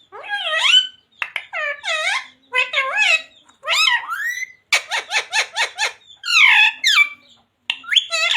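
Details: Talking parrot saying phrases like radhe radhe, jai shree ram, sita ram and mummy papa; a fast string of shrill, sliding syllables, then a burst of rapid staccato chuckle-like notes and more wavering words.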